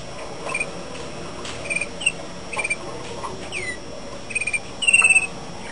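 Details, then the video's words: Malinois canary delivering brief evenly spaced notes, then a curving whistled slide and a fast rolling trill that ends in a louder sustained pulsed phrase, with soft steady room noise behind. "canaris malinois"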